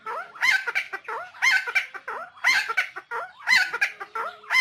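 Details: Helmeted friarbird, locally koak kaok or cucak timor, from Nusa Tenggara, long lure version: rhythmic harsh, gobbling phrases of nasal squawks and throaty gurgles, repeated roughly once per second, loud and clear against a quiet background.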